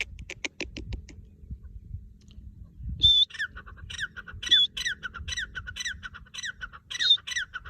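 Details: Partridge calling in the wild: after some rustling, a run of loud, harsh, repeated squawking notes begins and continues in a quick rhythmic series, each note layered and ringing, with low rumbling background noise.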